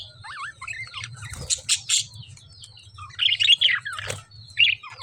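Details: Lovebird chirps and squawks: wavy whistled notes, then harsh bursts of chatter in quick succession, over a low hum.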